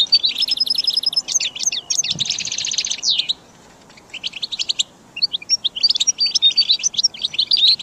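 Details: Goldfinch song for caged-bird training. Chirpy twitters and a harsh buzzy stretch give way to a silent gap, then resume as scattered clear whistles and chirps.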